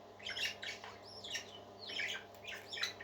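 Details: Parakeets warble at moderate distance, quick rising whistled notes blended with scratchy chirps in a continuous twittering flow, over a steady background hum.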